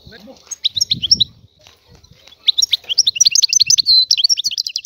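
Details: Free Algerian European goldfinch: a short tinkling phrase, a quiet gap with low rumbling, then a lively stream of rapid twittering notes and buzzy trills that ends on a sustained whistle.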